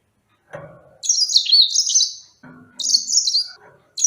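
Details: Serinus mozambicus sings two sustained, sweet, high warbles with rapid trills that dip and rise, separated by short bursts of low knocking noise.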